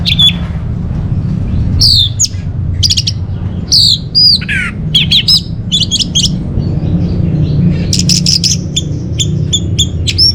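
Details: Orange-headed thrush song meant to lure and tutor caged birds: scattered sharp notes and downward-slurred whistles, building into dense rapid chirping near the end, over a low hum.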